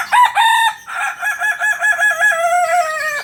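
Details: Kukuak Balenggek rooster from Solok at a 2023 contest in Padang, Indonesia, crowing loudly: a few short opening notes, then a long multi-syllable crow of rapid, wavering, repeated notes ending in a falling tail.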